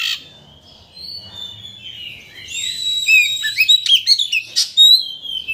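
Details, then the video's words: White-rumped shama song meant to stir another shama into singing its full repertoire: thin drawn-out whistles at first, building into loud slurred whistles and sharp buzzy bursts toward the end. "Pancingan Kacer Untuk Menaikkan Emosi Agar Mau Bongkar Isian"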